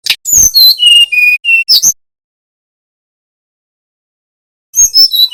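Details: Bali brown-chested jungle flycatcher in nyuling style, a training lure for young birds: a quick cascade of whistled notes falling in pitch, a long pause, then the phrase begins again.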